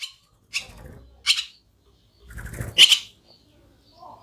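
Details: Barn swallows feeding their young give a few sharp, high chirps in quick bursts about half a second apart, with soft low rustling beneath.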